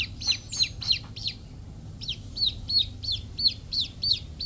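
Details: Young chickens cheeping steadily, each short piercing note falling in pitch. The peeps come in quick succession with a brief pause near the middle, against a constant low background hum.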